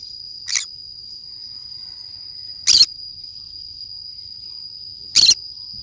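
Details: A green-cheeked conure playing alone in the forest calls three times, short harsh rasping screeches roughly every two and a half seconds, the first softest, over a constant high-pitched insect-like whine.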